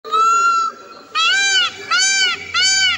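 A peacock gives four loud, nasal, wailing calls. The first is drawn out and level, then three shorter, arched cries follow at just under one-second intervals.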